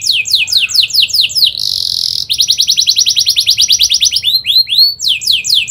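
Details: Atlantic canary delivering rapid, dense rolling song meant as a lure for young canaries to learn from: fast slurred notes, a brief buzzy sustained band, then a long rapid trill and repeated arching chirps.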